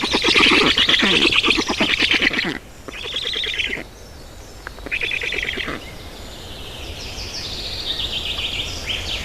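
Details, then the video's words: Black storks feeding at their nest in Estonia on 18 June 2019, shortly after 10:00; a burst of rapid rasping, pulsed calls for two seconds, then shorter wheezy bouts and quieter high trills from other birds. "Estonian Black Storks - Feeding"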